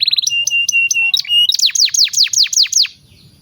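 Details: Canary song used as a master recording for training young canaries: steady whistled notes at the start, then a run of loud, quick downward-sweeping notes about every quarter second before falling quiet.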